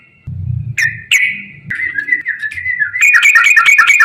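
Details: Lure song of a yellow-vented bulbul, gacor ropel style: long drawn slurred whistles over a low hum, building into a fast, dense chatter of bright notes near the end.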